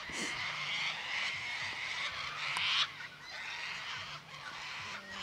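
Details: A large flock of sulphur-crested cockatoos in a paddock in Victoria, Australia, with many harsh, grating screeches overlapping into a continuous raucous din and one louder shriek standing out partway through.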